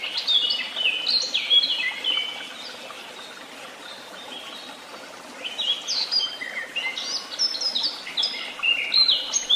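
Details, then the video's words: Birds singing at Tehidy Woobs: a loud run of descending, stepped whistled notes opens, then a quieter stretch, then another bright cascading phrase with sharp chirps near the end. "Sounds of beautiful birds and the tweet of birds"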